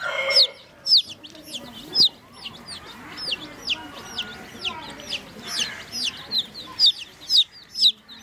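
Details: Baby chicks drinking water give clear, high, downslurred peeps, roughly two each second, in an uneven rhythm over a soft background murmur.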